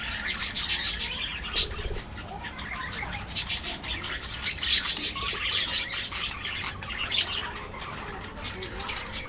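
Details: Many caged budgerigars in a colony aviary, with steady high chirping and buzzy warbling and brief sharp squeaks, loudest toward the middle.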